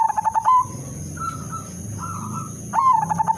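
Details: Zebra dove (perkutut), udanmas silver, singing a lure song to set other zebra doves singing: a loud burst of fast, pulsed coos, quieter drawn-out cooing, then another loud burst, over a low rumble and high steady tone.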